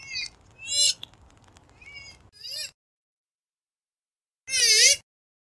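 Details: Purple swamphen calling, a sound used by hunters to lure birds: several nasal, wavering wails, two close together, then one loud drawn-out cry after a silent gap.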